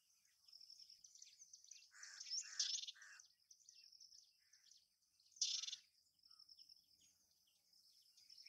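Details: Hume's whitethroat recorded at Coimbatore: short harsh chattering bursts and a few lower buzzy notes stand out against a steady high insect drone.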